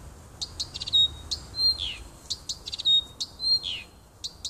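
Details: Nightingale song from a wood near a house on 30 June 2015: pure sustained whistles, quick click trills and a falling slurred note, phrases delivered in varied rapid sequence.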